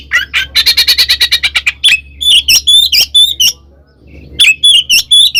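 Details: Fighting song of an oriental magpie-robin, loud and clear, for provoking rivals: rapid chattering runs of even buzzy notes, then high whistled slurs with harsh edges, a short pause over low hum, and more bright whistles.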